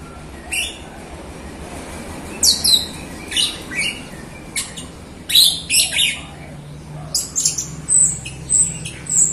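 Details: Jalak Rio myna singing actively, used as a lure to prompt other Jalak Rio birds, including untrained and reluctant singers. Harsh, noisy chattering bursts come in irregular clusters, mixed with thin high whistles near the end.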